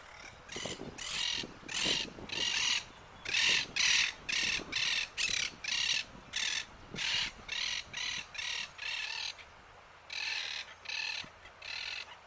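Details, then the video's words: Southern crested caracara (carancho, Caracara plancus) in an urban setting in Uruguay giving harsh, grating croaks about twice a second in a long series, with a brief pause before the rasping notes resume. "Carancho (Caracara plancus)"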